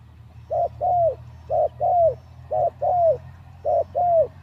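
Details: Low rhythmic cooing from a captive spotted dove used to lure wild doves: four evenly spaced pairs, a short hoot then a longer falling hoot, with faint low background hum.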